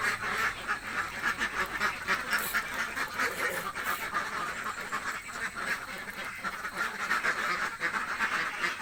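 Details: Very hungry village ducks keep up steady, rapid quacking, many birds overlapping in coarse nasal calls roughly four per second throughout.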